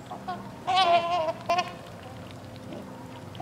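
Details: Trumpeter x Whooper swan hybrids kept at a bird sanctuary in Hickory Corners, Michigan, give a drawn-out, slightly wavering honk followed by a shorter honk, with a faint call at the end and low background hum.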